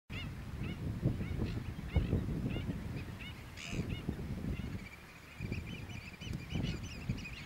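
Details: Black-billed gulls in New Zealand, taking off and landing, give short, harsh, nasal squawks in quick overlapping bursts, several birds calling at once over a heavy low rumble of wind.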